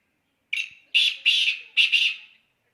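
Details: Black francolin giving a short, loud, harsh phrase of four to five grating notes, the last two paired, lasting about two seconds.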